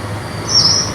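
A Yellow-browed Warbler gives one thin, very high, upslurred 'tsweest' lasting under half a second, over a low room hum.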